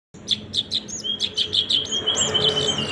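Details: A little spiderhunter (Arachnothera longirostra, sogok ontong), apparently a kept bird, sings in full chattering form: a rapid run of sharp, high chirps, several per second, over a thin sustained whistle-like tone.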